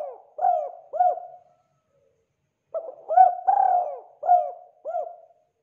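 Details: Spotted dove, known as derkuku or tekukur, calling actively: two short hollow coos, a pause of over a second, then a full phrase of stuttering lead-in, prolonged falling coo and three quick closing coos.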